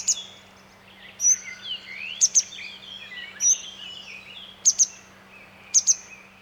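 Grey wagtail giving sharp, very high metallic notes, often paired like 'tzit-tzit', repeated every second or two, with softer chirps from other small birds underneath.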